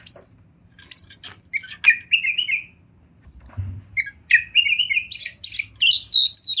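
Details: Oriental magpie-robin, a wild champion kacer, in forest and river ambience for masteran: isolated sharp chips and clicks separated by pauses, a brief low thump, then wavering whistles building into busy, rapid high chatter.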